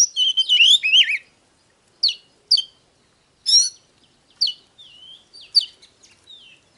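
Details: Oriental magpie-robin song, used to provoke birds into singing and fighting: a rapid warbled burst of twisting whistles, then spaced sharp notes and soft drawn-out whistles.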